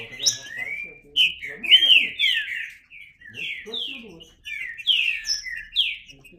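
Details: Green-winged saltator singing varied whistled phrases in short groups, mixing swooping slurs with brief chirped notes, separated by small pauses.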